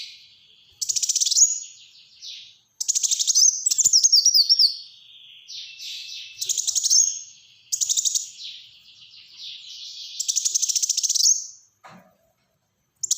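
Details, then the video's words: Repeated bursts of sharp, rattling high trills mixed with downward slurred whistles, each burst lasting about a second, from a Black-throated sunbird in close-fired 'tembakan rapat' song. "Burung Kolibri Wulung Gacor Tembakan Rapat"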